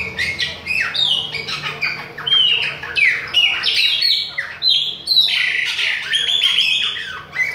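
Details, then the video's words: Chopi blackbird of the Bahian type singing without pause in the face of other birds: a loud, fast run of varied whistled notes, some sliding up and others dropping sharply, with short buzzy bursts in between. "PÁSSARO PRETO BAIANO NÃO PARA DE CANTA NA CARA DOS OUTROS !"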